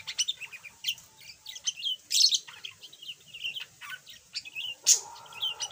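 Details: Budgerigar, yellow and once mute, now chattering a little: an unbroken jumble of quick chirps, squeaks and clicks with a few louder harsh notes along the way.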